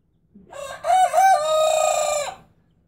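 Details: Young criollo rooster crowing with a slightly hoarse voice because it is still young: one drawn-out crow of about two seconds, starting with short rising notes, then a long sustained, harmonically rich tone that fades out.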